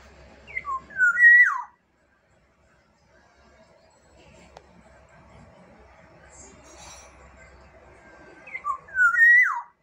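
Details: Black-naped oriole (Oriolus chinensis) from Sumbawa giving two short, liquid, fluty whistled phrases that slur down then up, about eight seconds apart, over a faint low hum.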